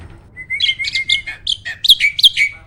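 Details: Caged competition starling from a bird farm sings a filled, varied song with roll, shot and speed styles: a long level whistle followed by a run of bright, looping chirped notes.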